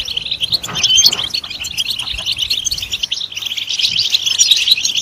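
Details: Goldfinch singing in a fast, bright, jangling twitter of overlapping high chirps, steady throughout the five seconds, with faint low background rumble.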